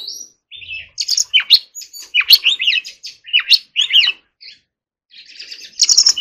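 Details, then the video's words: Training song of an Oriental magpie-robin in the forest-voice manner: crisp, loud whistles and clicks in quick bursts, a near-silent gap, then a buzzy, rapid high trill to close. "choè than hót giọng rừng"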